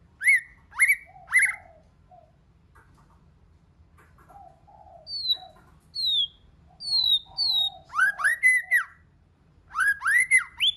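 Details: Multi-voiced White-rumped shama song meant to excite other shamas. Bursts of arched, ringing notes open and close the phrase, with soft low warbles and descending high whistles between them.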